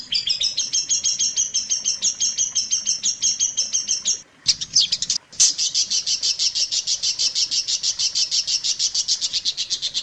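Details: Training song of the long-tailed shrike, meant for teaching other shrikes: a steady run of high, ringing double notes, a brief break, then a dense, rapid high trill to the end.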